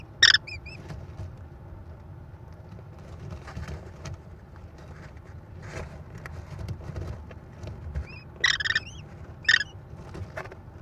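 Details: At a Wisconsin nest camera on May 13, 2021, a female American kestrel feeds prey to four chicks; short, sharp harmonic calls with a bent, chevron shape stand out near the start and again close to the end, with quiet rustling and low background hum between.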